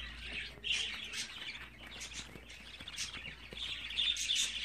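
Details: Budgerigar chicks, 24 days old, calling in rapid rasping chirps, roughly three per second, with a louder buzzy burst near the end.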